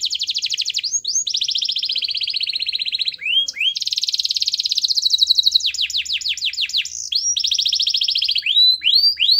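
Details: Canary in full, loud song played to provoke silent canaries into singing; long rapid trills of repeated notes, buzzy rolling passages alternating with sweeping upward whistled slurs, continuous with no other sounds.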